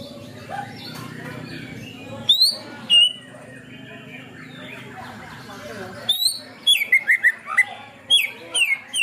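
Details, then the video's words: Greater green leafbird delivering canary mimicry material: isolated piercing upslurred notes, then a lively cluster of quick descending whistles and sharp chips, with faint background noise throughout. "cucak ijo materi ngunci kenari"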